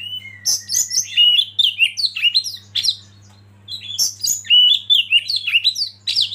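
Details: Oriental magpie-robin singing as a provoking lead bird: a long falling whistle, then quick jumbled sweeping notes, a short pause, and another energetic run of loud varied whistles; low hum in the background.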